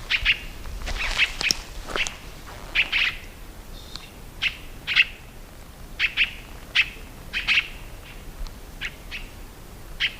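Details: Tiê-caburé singing a busy run of bright, clipped chirps, often in quick clusters of two or three, continuing steadily across ten seconds with soft background hiss.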